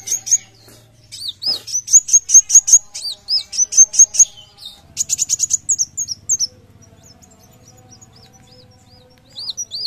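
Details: Lively song of a Van Hasselt's sunbird, kept for tutoring and provoking other birds: bursts of piercing high chirps and looping upslurred whistles in quick succession, a rapid buzzy trill near six seconds, then mostly quiet with a final few notes.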